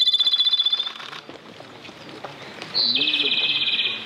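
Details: A Japanese robin met at a mountain pass sings a loud, high opening note that breaks into a rapid, rattling trill. The tail of an earlier trill is heard first, before a short pause.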